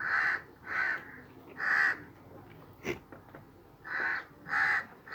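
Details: A crow sitting on a sheep's back gives loud, hoarse caws in pairs and triplets, with a brief gap and a sharp knock in the middle.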